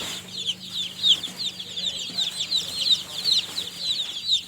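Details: Several tiny newly hatched chicks cheeping together, high sharp peeps tumbling over one another in a continuous busy stream, a soft low hum behind.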